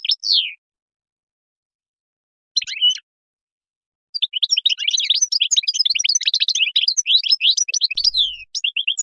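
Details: Moroccan goldfinch: a few isolated slurred notes, then a dense, nonstop torrent of high tinkling twitters and chirps.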